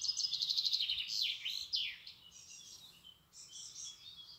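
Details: Robin song up close, opening with a quick high trill, then swooping slurred whistles that fall and rise, and after a short gap a thinner, softer high warble.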